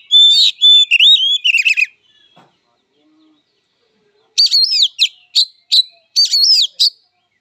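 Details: An oriental magpie-robin in fighting song: a burst of fluid, sliding whistles with rasping notes, about two seconds of silence, then short phrases of harsh buzzes and looping whistles.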